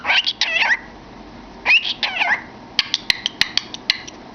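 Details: Pet cockatiel with its head inside a cardboard tube, singing and chattering to entertain itself; harsh, warbling rising-and-falling phrases in three bursts, followed by a string of sharp clicks and taps.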